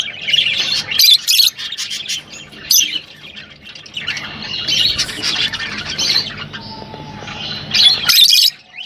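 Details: Mixed rosy-faced and Fischer's lovebirds chatter to stimulate breeding, giving shrill squawks and rapid twittering in uneven bursts, with a thin steady whistle-like tone late on and a sudden loud burst near the end.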